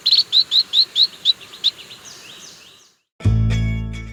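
White-rumped munia giving a quick run of high, thin chirps, about five per second, fading out before music starts.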